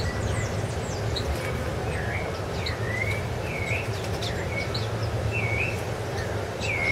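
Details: At Ilha do Governador in January 2013, a rufous-bellied thrush gives softer whistled phrases of looping, up-and-down notes, set against a constant low rumble, with faint high chirps from other birds.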